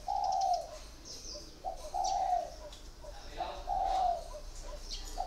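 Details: Caged spotted dove, a decoy bird kept four years, gives low, husky coos, each about half a second long. Several phrases follow one another at uneven gaps of one to two seconds. Faint higher chirps sound in the background.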